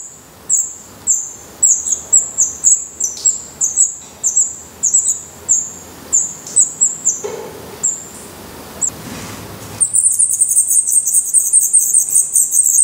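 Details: Black redstart nestlings in a Portuguese nest, eyes open and feathering out, give spaced thin high squeaks at about one per second, then a brief lull, then a sudden loud chorus of rapid overlapping chirps.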